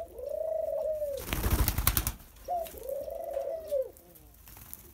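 A ringneck dove gives two low, drawn-out coos, each swelling and fading over about a second, separated by a burst of rustling noise.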